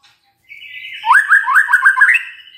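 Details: Magpie-robin song played as a lure to prompt a quiet bird: a thin steady whistle followed by a rapid run of loud, repeated upslurred notes.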